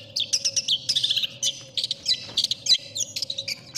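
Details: Long-tailed shrike tutor recording favoured by judges: a lively medley of high chips, brief trills and scratchy whistles delivered in quick bursts, with a steady low hum beneath.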